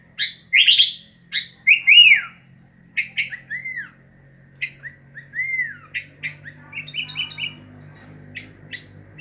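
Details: Sooty-headed bulbul delivering sharp chips and downslurred whistled notes, then a softer run of quick rising phrases, over a faint low hum.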